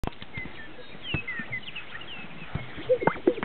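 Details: Greater sage-grouse displaying at a lek in northern Utah; soft swishing and rustling, then a pair of hollow, bubbling pops near the end over a steady low background.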